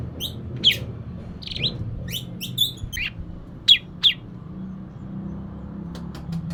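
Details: Oriental magpie-robin notes used to coax a lazy bird to sing: sparse, sharp chirps and short upward sweeps spaced a second or so apart, over a steady low hum.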